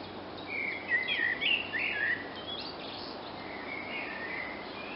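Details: Common blackbird singing in a forest in June 2016: a mellow, fluted warble of several quick notes around mid pitch, then a fainter phrase, over a steady background hiss.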